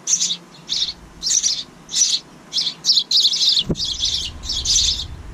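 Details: Chicks of house wrens raising a second brood in a bird house by a kitchen window call in quick, harsh, high rasps. Bursts run together near the end, and a dull thump is heard midway.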